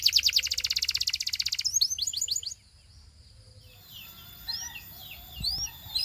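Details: Belgian canary singing to seduce other canaries, opening with a loud, very fast pulsing trill, then quick downslurred notes, fading into a quiet stretch with scattered soft high chirps and slurred whistles.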